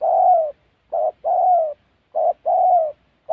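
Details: Spotted dove calling during trapping in the Central Highlands of Gia Lai, Vietnam. Rhythmic paired coos repeat briskly, a terse low note followed by a longer, softly falling hoot, with a new phrase starting at the close.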